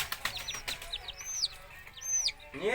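Young tumbler pigeons give thin, high squeaks in quick arched peeps, several per second, over soft rustling clicks and a brief human voice at the end.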